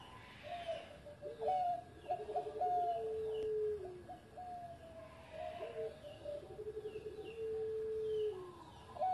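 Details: Zebra dove, once a competition champion, repeating its melodious engkel song twice: trilled notes and long drawn coos that slide downward, with steady background hiss and faint higher chirps.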